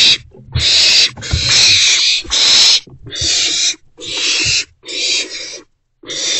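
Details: In a nest box on 13 April 2024, three owlets utter a run of raspy, breathy screeches, with the first bursts long and merged and the later ones shorter, over low thumps and scuffling.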